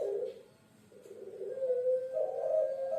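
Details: Puter pelung dove of Java, Indonesia: a brief dip in sound, then a continuous low, rough coo that swells and holds steady; quiet room background.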